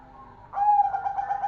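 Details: Zebra dove of the golden perkutut variety in lively song: after brief quiet comes a sudden clear coo, held and then broken into quick soft throbbing pulses that continue to the end.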